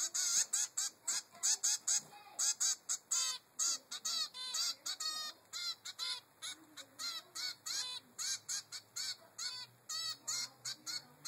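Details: Begging zebra finch chick, three weeks old, demanding food from its mother, giving a dense, fast stream of short, nasal, honking calls that continues without letup.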